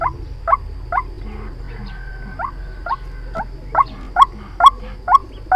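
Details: White-breasted waterhen lure recording used for trapping: short, harsh, mid-pitched notes repeated about twice a second, becoming louder and more regular toward the end, over a steady low hum.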